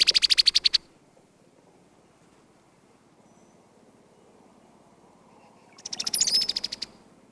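Brown-headed cowbird giving two quick, dry, high chattering rattles about five seconds apart; the second ends in a thin, sharp whistle over faint background hiss.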